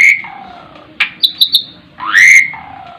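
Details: Asian pied starling (jalak suren) singing in its 'terkuku' style: a high whistle sliding down to a lower tone, a sharp click, three quick bright ticks, then a loud rising whistle that levels off.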